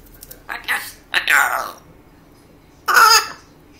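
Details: Rio, a 1-year-old female African grey parrot learning quickly, gives three short, speech-like warbled phrases with rising and falling pitch, separated by brief pauses, in a quiet room; described as singing.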